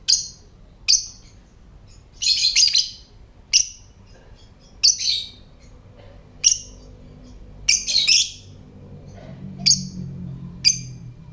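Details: Lovebird ngetik (typing) call, used to prompt other lovebirds to call and come into breeding condition: short, sharp, high ticking chirps in separate bursts, some doubled or clustered, about one per second over a quiet low hum.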